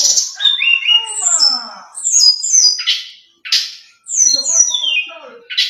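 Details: A Brown-chested jungle flycatcher sings a rich, varied, clear and fluting run of high whistles and quick down-slurred notes, broken by short harsh bursts, in phrases with brief pauses.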